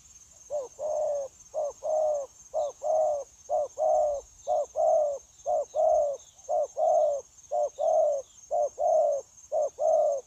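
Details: Spotted dove newly caught from the wild, kept for trapping, cooing continuously on 9/1/2024: a clipped note followed by a longer drooping coo, the pairs repeating steadily about once per second, with a constant thin high-pitched hum behind.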